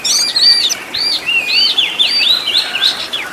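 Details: Master song of an Oriental magpie-robin, full of fancy fill-in phrases for tutoring caged birds: a continuous run of clear, wavering whistles and rising and falling slurs delivered rapidly and loudly.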